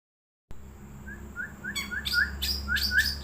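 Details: Wild long-tailed shrike singing: after a silent start, a run of short soft rising whistled notes repeated about every third of a second, then harsh scratchy chattering bursts joining in, over a steady faint high electronic whine.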